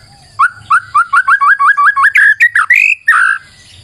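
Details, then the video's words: White-rumped shama singing as a lure: a string of about a dozen quick upslurred whistles that speed up, followed by richer rising and falling slurred phrases. "PANCINGAN MURAI BATU GACOR"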